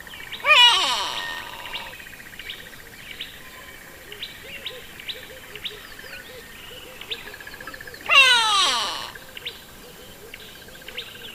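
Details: Grey Go-away-bird, a species usually in small groups perching conspicuously on trees and bushes: two loud, nasal, harmonic-rich calls that slide downward in pitch, about seven seconds apart, over steady thin high chirping from other birds.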